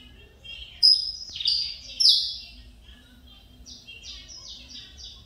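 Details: Saffron finch of the mineirinho type, son of a champion-line male, singing as it comes out of moult after nearly two years with stuck feathers: loud, high, sharply down-slurred whistled notes, then a quicker run of repeated descending notes.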